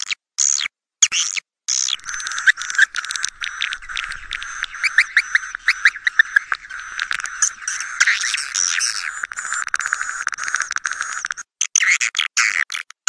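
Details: Swiftlet lure sound meant to bring swiftlets to roost in swiftlet houses. Long, busy stretch of chattering, clicking twitters and buzzy trills, with abrupt cuts and uneven loudness.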